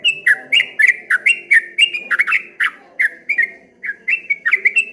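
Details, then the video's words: Rippling, wave-like song of a streak-eared bulbul: fast bright chirps with clicking edges, nearly four per second, a short gap, then the run resumes, steady low hum beneath. "suara burung trucuk kebo bunyi ropel ngombak banyu"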